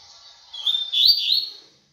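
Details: Double-collared seedeater singing a fast tui tui style song: one bright, slurred burst of high whistled and buzzy notes lasting about a second, rising and falling, in an otherwise quiet setting.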